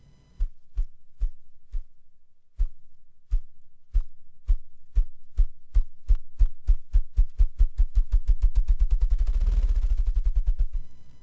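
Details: Ruffed Grouse drumming from a log in a clear-cut or early-successional habitat in Kentucky, in winter or early spring, to attract females. Deep, muffled thumps start slowly, speed up, and run together into a low whirring roll that fades away.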